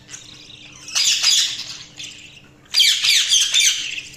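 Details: A budgie's soft, thin warbling gives way to louder bursts of scratchy chirps and squeaks, then quietens before another loud chattering outburst.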